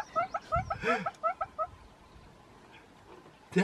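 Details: A displaying Northern Red-billed Hornbill gives a quick run of hollow, clucking notes, about ten in under two seconds, then falls quiet before a brief loud burst.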